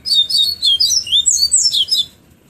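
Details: Bahia seedeater singing in the afternoon at Pero Vaz, Salvador, in the fluted 'flautado tonzé' style: about two seconds of fast, high, sweet warbled phrases with rising and falling slurred notes, ending abruptly into quiet.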